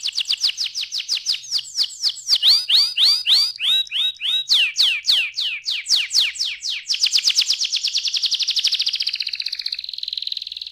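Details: Young canary singing gacor-style: rapid repeated chirps and trills, phrases shifting from fast high rolls to slower downward-swept notes around four per second, then a dense buzzy trill.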